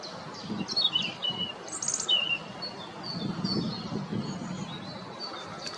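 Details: European robin singing from very close, singing to defend its territory: thin, high warbled phrases with short trills and pure notes, varied and wistful, over soft low background rumble.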